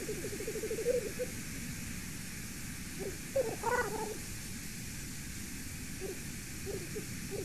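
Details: A black grouse heard from a golden eagle nest camera at 6:37 PM on 8 September 2019 gives a low, rolling, bubbling murmur with a brief louder tonal phrase, over steady wind and a few faint notes.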